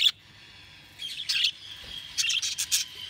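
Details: Budgerigars chirping: bursts of bright, high, quick chirps around the first and second seconds, with a steady thin high tone running beneath.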